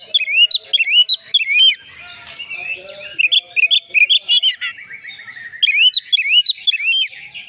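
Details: Fighting Oriental magpie-robin singing hard through its material: rapid looping whistles and sharp chips in bursts, a rattling trill-like passage, then more quick swooping phrases.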